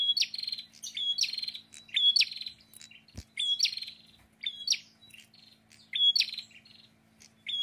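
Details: Prinia in lively, constant song: repeated phrases about once a second, each a short level whistled note stepping into a loud buzzy trill, with a faint steady low hum underneath and one soft thump midway.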